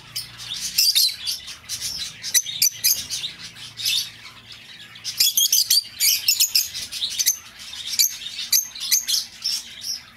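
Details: Lovebird recording to lure back an escaped bird: bright, screechy chirping in long busy runs, a short lull, then a denser stretch of rapid shrill notes.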